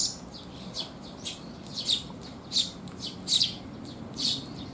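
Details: Eurasian tree sparrows arriving to be fed on a rainy 19 June 2021 give high chirps at an uneven pace, about seventy a minute, louder toward the middle, against a soft hiss.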